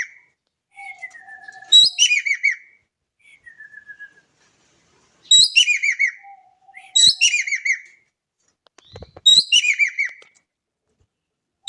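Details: Javan kingfisher from Indonesia, calling often: four loud bursts of harsh, rapid, rattling notes, each bouncing downward, spaced irregularly, with faint thin drawn-out whistles from another bird in the quiet gaps.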